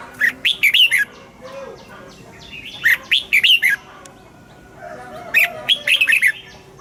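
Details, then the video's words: Morning song of a caged red-whiskered bulbul, double-note 'già rừng' style: three short, lively bursts of sharp whistled notes, each phrase about a second long, spaced roughly two seconds apart, with faint soft calls between. "Luyện giọng cho chào mào hót sáng, ép chào mào hót âm kép già rừng hay tuyệt!"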